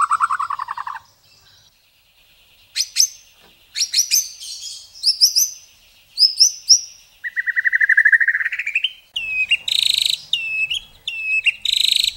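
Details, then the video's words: White-rumped shama singing a varied masteran phrase with rich fill-ins: a short rapid trill, a near-silent gap, then sharp high strokes and whistles, a rising buzzy slur, and finally loud piercing repeated notes with flicking tails. "Masteran Murai isian mewah tembakan panjang panjang super pedas | shama bird song"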